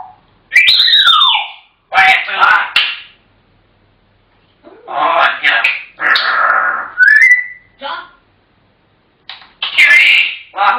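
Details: A talking grey parrot chatters in bursts, mixing speech-like babble with clear whistles, including a swooping falling whistle and a rising one.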